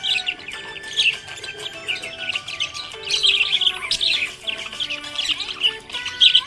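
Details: Cheerful budgerigar chirps pour out in a steady stream of high, scratchy twitters and trills, swelling in louder bursts every second or so, with held lower tones sounding faintly beneath the chatter.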